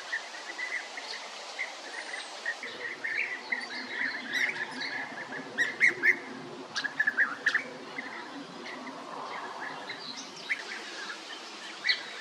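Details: European bee-eater calls, liquid rolling notes at mid pitch, scattered through the recording with brief clicks and sharper high ticks in between, against a quiet outdoor background.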